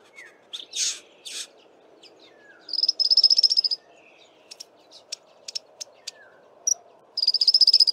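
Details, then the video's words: African firefinch giving high, buzzy trills of rapid pulses, one lasting about a second and another starting near the end, separated by odd scratchy rasps and scattered short ticks. "African Firefinch calls"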